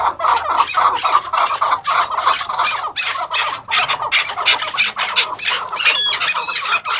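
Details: Rapid, rasping pulsed calling from captive chukar partridges, maskati chakor first and second crosses held as breeding pairs on a farm, running almost continuously, with a few higher squeaky notes near the end.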